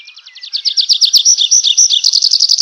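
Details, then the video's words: Close, loud nightingale song: quick repeated notes growing louder into a fast, rich trill with ringing whistled accents throughout. "ЗВУК СОЛОВ'Я | Який звук видає соловей"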